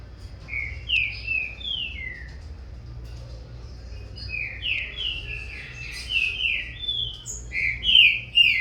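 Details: Captive young Green-winged Saltator, corvo x fogueira cross, beginning to dispute song with its father: descending whistled notes early, then a dense run of overlapping rich whistles from both birds, growing louder toward the end.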